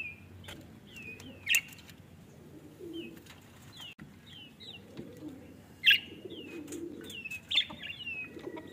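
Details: Pet budgerigars kept in a cage, heard on a day their cage was cleaned: bright, short, rising and falling chirps scattered through the clip, a few louder sharp notes standing out over a soft low hum.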